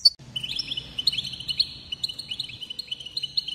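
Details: European goldfinch song intended to excite other goldfinches: a sustained, rolling trill of rapid, pulsing notes held at a steady high pitch, with a sharp chirp at the start.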